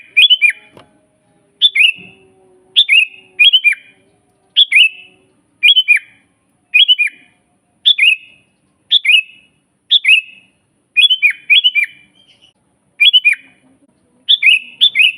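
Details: Sooty-headed bulbul song used as a master for training birds to sing and luring wild bulbuls: short bright phrases of two to three quick whistled notes, rising then dropping, repeated about every second, clean background.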